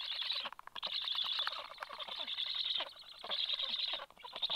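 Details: Male Black stork feeding fish to chicks at the nest, 26 July, 9:40, just after the female arrives; loud, scratchy wheezing hisses run almost continuously with two short breaks.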